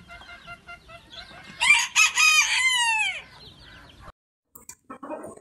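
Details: Rooster from a breeding farm in Ponta Porã, Mato Grosso do Sul, Brazil: soft clucks lead into a bright, loud crow of several harmonic syllables ending in a long downward slide, then a brief quiet gap and faint clucks.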